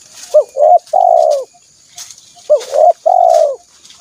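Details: Spotted dove call played to lure wild doves: two loud, close phrases, each a brief hooked coo, a wavering middle note and a long sustained coo sliding downward, about two seconds apart, with faint rustling noise between them.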